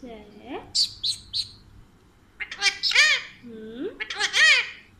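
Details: Talking Alexandrine parakeet mixing speech-like rising syllables with sharp, high chirps in quick clusters, loud and close, with brief pauses between bursts.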